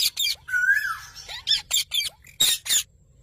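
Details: Parrot starting with a long, bending whistle, followed by a string of harsh, broadband squawks and a couple of short upward chirps.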